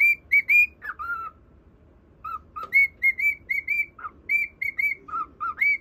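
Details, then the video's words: Cockatiel whistling a melody for a budgerigar companion; clean whistled notes jump between a high and a lower pitch, delivered in bursts of three or four notes separated by a short silence. "【オカメインコ 口笛】セキセイインコに口笛を聴いてもらうインコ"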